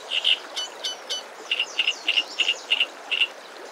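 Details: Hungry wagtail chicks in a nest hidden in green foliage beg for food in spring as a parent feeds them. High, thin paired chirps repeat about every third of a second, with a few faint whistles early on.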